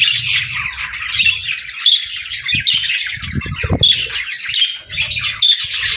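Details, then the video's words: Budgerigars warbling steadily, rapid bubbly chirps mixed with clear short whistled notes and harsh squawks, with occasional low taps and thumps in the room. "Parrot Sounds | Budgie Videos"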